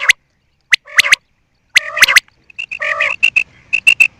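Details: Quail calls: a few sharp broadband clicks and chirps, then a run of short, clear, high piping notes repeated roughly every quarter second, some with lower buzzy bursts mixed in.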